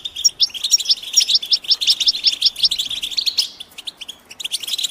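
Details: European goldfinch mating and readiness calls, meant to stimulate a silent male into song: a lively stream of high, tinkling twitters and chirps, closely packed, with a brief lull near the end.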